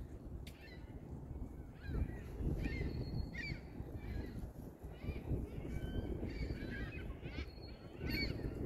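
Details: A large flock of gulls on a lake beach on a spring day calls in short, overlapping, harsh mewing and yelping notes, several each second, over a steady low rumble of wind and calm water.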